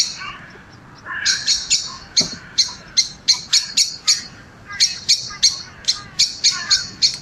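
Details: Common Blackbird alarm call in the UK, often heard at roost: a few softer low chuck notes, then about fifteen sharp, metallic chinks coming faster and louder in a diagnostic rising crescendo.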